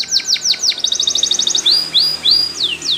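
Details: In the morning a Spanish Timbrado canary sings training song: four falling whistled slurs, a rapid ticking trill, then long drawn whistles and downslurred notes over a faint steady background hiss.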